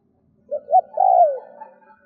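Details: Decoy spotted dove cooing to lure and provoke wild doves: two short clipped notes, then a long, loud coo that slides downward, a single phrase on a quiet background.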